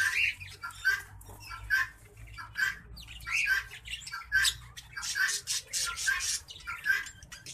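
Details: Hybrid of green singing finch and black-throated canary delivering a continuous series of chirpy, slightly harsh notes about once a second, swelling louder toward the end, with a steady low background hum.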